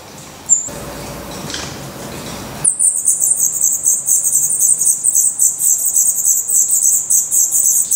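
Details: Black redstart nestlings in a nest in Portugal, eyes now open and growing their adult feathers, beg with a rapid, continuous high-pitched chorus of thin hissing chirps after a few seconds of rustling.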